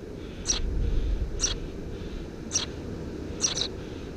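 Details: Eurasian tree sparrow nestlings, three in a nest under a house roof, 2 June 2017: faint high chirps about once a second, ending in a quick double chirp, partly masked by louder low rumbling noise.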